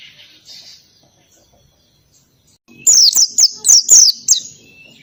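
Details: Ngalas-style song of an oriental white-eye with canary-like phrasing: after faint soft chirps, a fast run of sharp, high, downslurred whistles, about six notes packed into two seconds.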